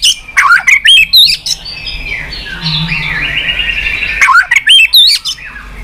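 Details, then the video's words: Nonstop 'tạch' song of a white-rumped shama, with tail-flicking: rapid clicks and high slurred whistles at the start and end, with quieter wavering warbles in between. "Chòe lửa tạch liên tục"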